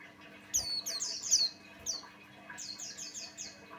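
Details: White-eye song played as a lure to set other white-eyes singing: clusters of high, falling chirps and quick twittering notes over a faint, constant hum.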